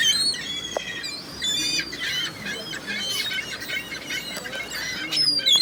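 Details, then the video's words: Numerous gulls giving harsh, slightly rising squawks in a continuous overlapping chorus outdoors, with a few sharper shrieks near the end. "Seagulls, Seagulls everywhere!!!"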